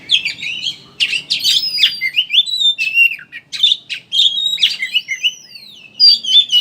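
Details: Oriental magpie-robin in chattering 'ngeriwik' style, used as a lure so birds open their beaks and sing. Fast twitters and buzzy notes with clear whistled glides, including a long falling whistle near the end.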